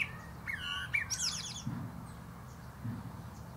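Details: A common blackbird sings from a plum tree top: a short whistled phrase ending in a rapid high scratchy twitter, then quiet with low rumbling noise and hum.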